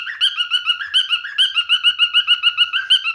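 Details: A male pet cockatiel sings a rapid, even series of short whistled notes, roughly five per second, bouncing between a lower and higher tone in a chirpy, rhythmic warble with nothing else audible.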